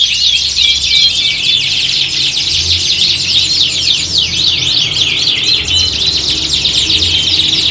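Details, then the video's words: A squad of canaries in a competition-like chorus meant to train contest birds; thick, high-pitched trilling with quick descending chips and whistled loops, overlapping without pause, over a low background hum. "Kicauan Squad Kenari Siap Gantang!"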